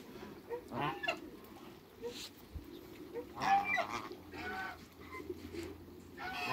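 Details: African geese, two males and a female in a backyard, giving scattered moderate honks at irregular intervals, some short and clipped, others longer and nasal, over a steady low background hum.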